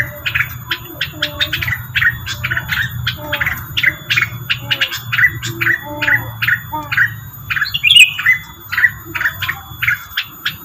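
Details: Rengganis lure call: rapid series of sharp, high chirps repeated several times per second, mixed with lower warbling notes and a squeaky phrase near the end, over a steady low electrical hum and faint thin tones.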